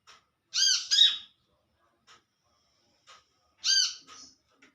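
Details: Olive-backed sunbird in the wild calling to its companions: harsh, nasal, arched notes with rich overtones, two close together then one more after about three seconds, with faint soft ticks between.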